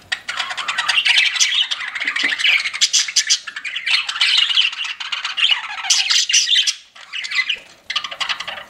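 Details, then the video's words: Indoor pet budgies in a busy chorus of scratchy warbles, clicks and shrill chirps, running steadily before a short lull near the end and a final burst. "CUTE PET BUDGIES CHIRPING"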